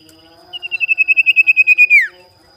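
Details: Tame caged Common Iora, locally called cipow or sirtu, giving its rival-seeking lure call: a rapidly pulsed, high, level whistle that swells, then drops sharply at the close, with a quiet background.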